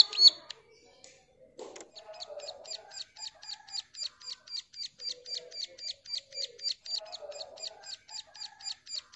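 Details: A Bar-winged Prinia, said to be a female calling to a male, gives a long, fast series of high, sharp notes, about four each second, over a faint low background murmur.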